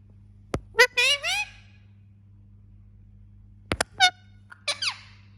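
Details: Pet Indian ringneck parakeet talking indoors, giving short speech-like phrases with rising, warbled syllables in two bursts, plus sharp clicks, over a steady low electrical hum.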